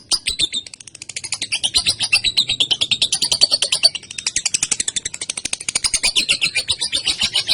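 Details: Female lovebird, long ngekek chatter used as training material for other birds: a sustained run of rapid shrill notes, with pulses quickening and blurring midway, then continuing evenly to the end.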